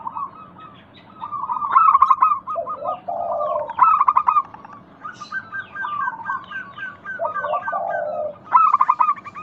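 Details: Local zebra dove song used as a lure to make other doves answer: bursts of quick stuttering notes followed by lower rolling purring coos, repeated several times, with small birds chirping faintly in the background.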